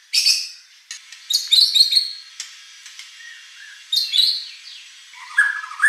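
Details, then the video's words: White-rumped shama song meant to goad a contest bird into answering: scattered harsh, scratchy bursts and short chips, with a lower warbled phrase at the end. "SEMBURAN M4UT MURAI BATU G4NASS | Murai batu JAH4TT | shama bird beautiful song performance"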